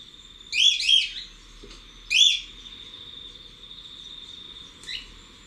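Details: Cockatiel in an outdoor aviary, heard from outside: a quick pair of grating, harmonic calls, a single similar call a second later, then a fainter note near the end, with a constant thin high whine behind.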